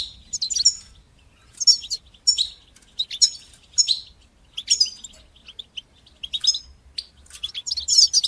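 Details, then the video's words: European goldfinch song meant to encourage young birds to learn singing: short bursts of high, tinkling twitters and trills separated by clear gaps of about a second. "تقنيات تحفيز طيور الحسون لتشجيع نجاحها في التغريد"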